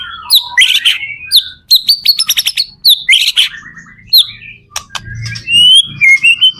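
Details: White-rumped shama song used as a lure to prompt other shamas to sing in reply: rapid varied bursts of sharp chirps, buzzy trills and clear rising whistles, with loud clicking notes between phrases.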